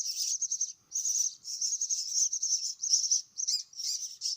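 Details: Hungry myna chicks at feeding time produce an insistent, high-pitched, wheezy chatter, mostly unbroken, with a couple of brief pauses and a few sharper notes near the end.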